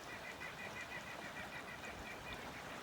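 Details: A White-breasted Nuthatch up in the big trees of an old-growth Acadian forest flood plain in northern Nova Scotia gives a quick run of nasal, honking notes, about five or six each second, over a soft hiss of forest background.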